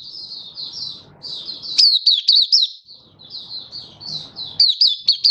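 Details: Captive Malaysian white-eye (mata puteh) in open 'buka' song, Singapore, warm sunny stable weather, 20 March 2023: high, quick down-slurred twittering notes in dense bursts, with a brief pause mid-phrase.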